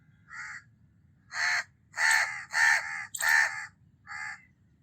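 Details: Harsh, nasal cawing by a house crow: a soft opening note, then several loud, rough caws close together and a quieter final caw.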